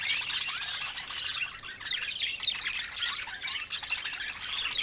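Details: Budgerigars give dense, overlapping chatter: quick chirps, squeaks and warbled twitters from several birds at once. The busy, continuous stream never settles into a clear phrase.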